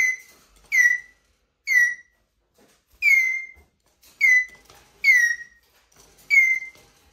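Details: Plaintive squeaks from a male Eurasian jay, addressed by a person: a series of seven sharp, downward-sliding whistled notes with brief flat endings, spaced about a second apart in a quiet room.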